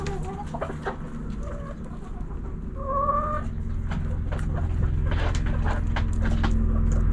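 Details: Backyard chickens with hens clucking and roosters crowing: scattered short clucks and a brief rising two-tone call, then a rapid run of sharp clucks, under a constant low mechanical rumble.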